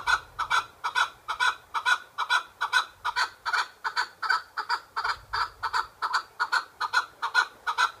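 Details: Pet chukar partridge calling in a fast, steady series of rasping chuck notes, roughly two per second, each note sharp and clipped, sustained at even loudness across the whole stretch.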